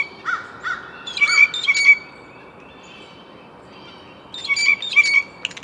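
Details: A blue jay gives harsh, rasping calls in quick clusters of two or three notes. After a pause of about two seconds, another burst of scratchy notes follows, with a faint, steady tone holding behind them.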